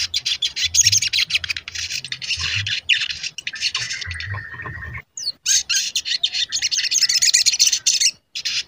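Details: Sogon in full song, played to provoke singing and agitation in other sogon: long harsh, scratchy high chatter with a steady drawn-out whistle midway, a short break, then more fast noisy twittering.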